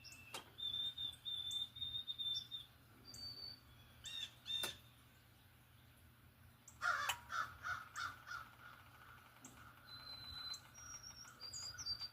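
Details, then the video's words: Unidentified bird singing a pretty little tune in the morning: thin, high whistled notes and short sliding phrases, broken by sharp clicks, then a run of about eight harsh cawing calls from another bird midway. "What bird is singing the pretty little tune?"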